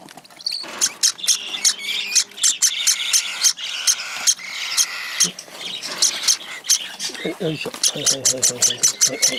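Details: Hand-fed cockatiel chick begging: quick repeated clicking chirps in a steady rhythm, with buzzier rasping notes toward the end.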